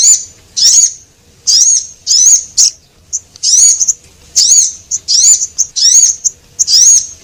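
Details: Male and female Javan munia lure sound: piercing high chirps grouped into short, irregular bursts, some notes sweeping up and down, separated by brief silences in a clean recording.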